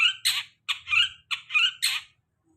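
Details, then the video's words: Long-tailed shrike used to lure moulted birds into singing: five clipped, grating bursts with bright squeaky tones, spaced by brief silences. "Pancingan cendet habis mabung pasti bunyi"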